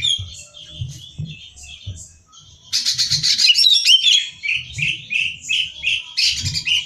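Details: Song of a greater green leafbird meant for competition training: a string of sweet whistled notes, then a loud harsh chattering burst and more rising whistles, over faint low thuds.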